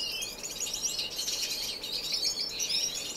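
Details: Finches in an indoor, non-breeding community aviary in Edmonton, Canada, filmed in March: a dense, continuous tangle of high chirps and twittering notes from several birds at once, with no pause across the stretch.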